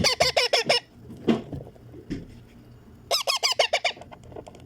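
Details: Baby pet Indian ringneck parakeet being fed, uttering rapid rhythmic rasping squawks in two bursts of about six to eight notes, separated by quieter handling sounds.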